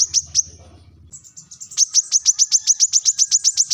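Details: Piercing call of a brown-throated sunbird used to call rivals: two separate ticks over a low hum, then a steady rapid train of bright, high ticks, about five per second.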